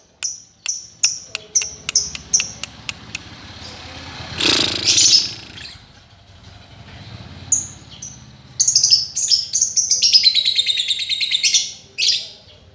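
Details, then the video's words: Lovebird master song meant to teach a silent lovebird to sing again: sharp ticking notes open, then a burst of rough noise, followed by long runs of high, shrill, trilled chattering with faint background hum. "Master untuk lovebird yang macet bunyi"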